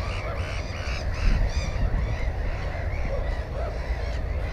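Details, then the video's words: Black-headed gull at a nest with one egg and one chick, GoPro recording from 15 May 2016; several clear, harsh, ringing squawks early on, softer calls later, with gusty low-frequency wind throughout. "Озерная чайка"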